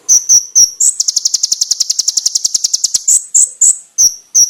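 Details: Konin master song for birdkeepers: spaced sharp high chips that lead into a fast, even rattling trill of about two dozen pulses, then more clipped piercing notes.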